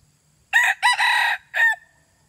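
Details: A single junglefowl crow, harsh and broken into four syllables. The two middle parts run together and are held longest, and a short rasping end note fades away in near silence.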